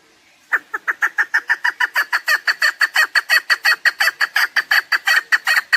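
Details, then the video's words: Rapid series of rasping chuck notes from a chukar partridge, roughly three a second and evenly loud for over five seconds. Recorded as a hunting lure sound, with a quiet background. "Овози кабк кеклик калик пение каклик мастак модкабк"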